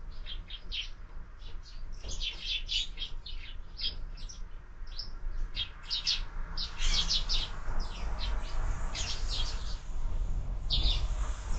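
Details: Sparrows at a year-round window feeder in the morning; a busy, continuous chatter of overlapping short chirps over a low rumble.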